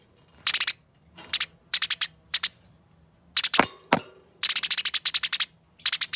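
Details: Fighting Eurasian tree sparrows, captured as a master recording for tutoring cage birds: clipped bursts of three to ten rapid, piercing chirps separated by short silences, two sharp cracking clicks midway, and a thin constant high tone throughout.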